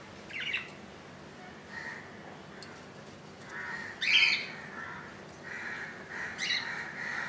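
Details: Budgerigars at a nest holding a chick hatched on 15 July 2018 at 2 AM, on its second day: soft buzzy calls come and go, with one sharper squawk in the middle and more rasping notes near the end.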